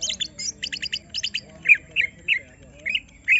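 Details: Greater green leafbird, agitated on purpose to deliver its full song: dense bursts of high buzzy chatter in quick clusters, followed by several separate slurred whistled notes spaced about a third of a second apart.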